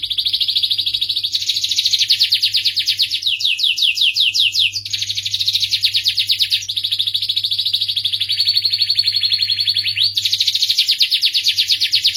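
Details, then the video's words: Long, melodious starblue canary song: a continuous chain of high trills, each section a different rapid repeated note, some slower and sweeping, others buzzy and dense; faint low hum throughout. "suara merdu kenari starblue"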